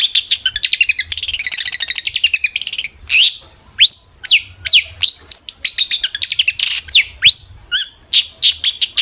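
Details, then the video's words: Long-tailed shrike song used to make other shrikes answer: opens with a long rapid rattling trill of mimic-like notes, then a series of sharp downslurred and rising whistles repeated in quick succession. "burung cendet gacor FULL EMOSI pancingan CENDET AGAR NYAUT"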